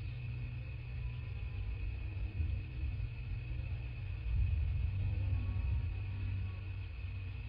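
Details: Low engine-like rumble with a steady electrical whine, swelling slightly near the end, without any animal calls.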